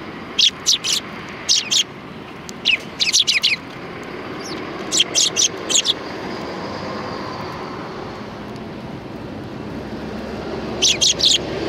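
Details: Sparrows coming to be fed at a Tenmangu shrine in Japan on 16 January 2020: short bursts of sharp, high chirps in clusters of two to four, separated by pauses, over steady low background rumble.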